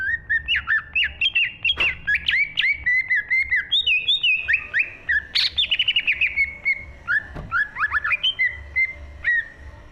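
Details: Green leafbird singing in a lively, full song from 2023: rapid runs of clear whistled notes sliding between mid and high pitch, with quick chirps and short trills and hardly any pause across the phrase.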